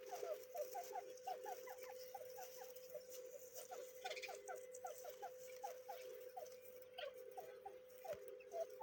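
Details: Grey francolin chicks, a series of short rising chirps repeated rapidly and fairly evenly against a continuous humming tone.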